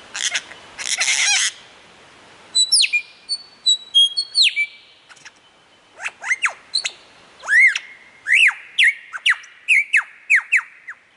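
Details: Lyrebird imitating other sounds in Australia: a burst of scratchy rattling, then crisp clicks and high pure whistles, ending in a steady series of ringing, down-slurred whistled notes repeated roughly every half second.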